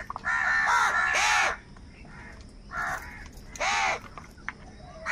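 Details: During a squabble over food, crows call in loud, grating caws. A pair of long caws comes first, then two more after a pause, and a final caw starts at the end.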